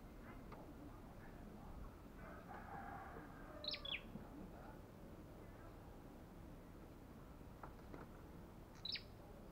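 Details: Olive-backed tailorbird described as belligerent and very fierce: two sharp, high, downslurred double notes about five seconds apart over a steady low background hiss.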